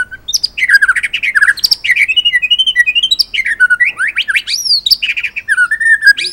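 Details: Continuous rich song of a white-rumped shama, dense cascades of rapid warbled and whistled notes sweeping up and down without pause, loud and close.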